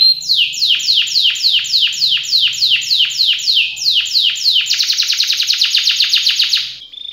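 A canary sings a bright, high trill of descending sweeps, about three a second, then quickens into a rapid rolling tour before a short whistle.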